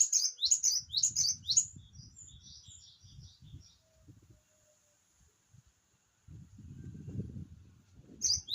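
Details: Java sparrow singing, a quick string of bright high chirps in the first two seconds fading into soft twittering, followed by low rumbling background noise and a brief renewed chirp at the close.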